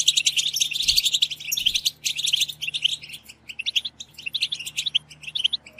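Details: European goldfinches twittering together in batbata, a group chatter played to push goldfinches into song: busy high chirping that loosens into spaced twitters midway, then builds again, over a faint hum.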